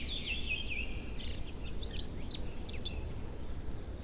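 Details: Chorus of newly arrived birds in forest and meadow on fair April days in early spring, when the river is free of ice and carries flood water; high twittering and chirping phrases overlap above a steady low rumble of rushing water.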